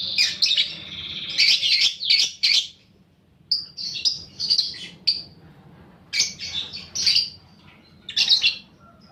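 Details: Lovebird lure song, paud balibu fighter, meant to stimulate rivals to chatter: loud clustered bursts of shrill squeaky chirps separated by short silences, repeated several times.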